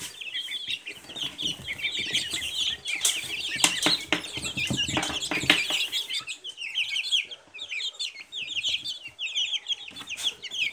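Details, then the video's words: A brood of Silkie chicks keeps up continuous high, thin peeps, many voices at once, with scuffling and tapping noises through the middle stretch. "Цыплята шелковые"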